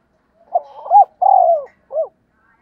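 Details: Spotted dove used as a decoy, cooing to call others in the morning. A low, soft phrase of hollow coos, a quick run followed by a longer drawn-out coo and a short final note, on a quiet background.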